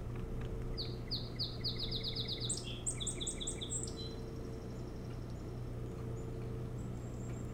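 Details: Osprey at its nest on Hog Island near Bremen, Maine, July 25, 2018, around 3 a.m.: a quick series of sharp, thin, down-slurred whistled chirps that speeds up, then higher squeaky notes, over a steady low hum.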